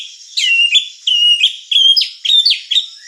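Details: Murai batu (white-rumped shama) song, a lure and master recording: five loud, clear whistled phrases, each a sharp upslur into a steady note, about half a second apart.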